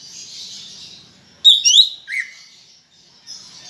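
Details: Lively greater green leafbird song: a quick burst of two or three sharp, sweeping whistles, then a lower slurred note, before a quiet pause with a soft high hiss.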